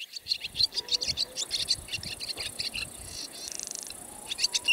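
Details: Barn swallow from Siberia twittering in a quick, steady series of chirps with a brief rattle, over a noisy background.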